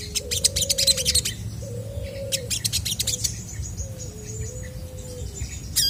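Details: Chestnut-backed scimitar babbler in energetic song meant to draw replies from other birds: low, flat whistled notes, some with a small step up or down in pitch, over busy high chirps and trills from surrounding birds.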